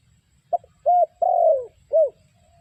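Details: Lure spotted dove for trapping wild doves, one cooing phrase: a brief clipped note, a short coo, a long drawn falling coo, then a final rounded coo, with faint low rumbling behind.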